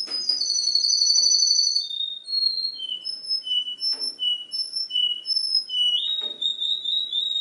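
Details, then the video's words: Canary mimicking the songs of other birds: a long bright whistled trill, then a regular series of short clear whistled notes alternating between two pitches about twice a second, ending in a steady high trill. "CANARY PARODIES 10 BIRDS SONG!!!"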